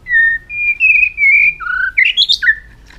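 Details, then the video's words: White-rumped shama in tail-flicking aggressive display meant to stimulate other birds, singing long drawn-out clear whistles at steady pitch, then a rising burst of quick varied notes ending on a falling whistle. "chòe lửa kéo dây siêu dài,đánh đuôi thái độ kích chim hiệu quả"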